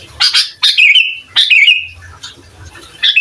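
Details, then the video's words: Spirited sooty-headed bulbul singing to provoke other bulbuls, recorded for training: two clear liquid whistled phrases, each starting with a burst and ending in a falling warble, plus a short opening note. "Suara Asli Burung Kutilang Gacor Bikin Emosi Kutilang Lain"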